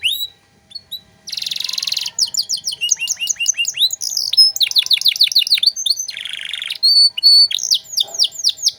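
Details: Singing canary used as a master track for other songbirds, luxurious 'cengkok' phrasing: a short whistle, a harsh hissing burst, then long runs of quick chopped notes, clipped trills and sharp downslurred chirps.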